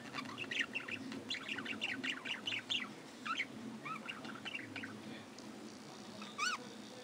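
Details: Budgerigars in an aviary chatter in a flock: rapid bursts of bright chirps and warbling notes. Louder squawky calls with rising-falling shapes follow, with low hum in the background.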